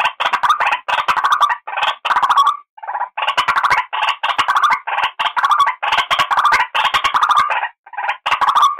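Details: Harsh, grating croaks of a white-breasted waterhen lure recording, repeated rapidly and almost without a break, the notes short and uneven in rhythm.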